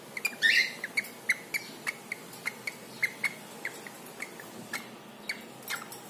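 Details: Male pet cockatiel making sound while bathing in water indoors; a rapid run of short clipped chirps repeated about every quarter second, mixed with sharp splashing clicks and one brief harsher note near the start.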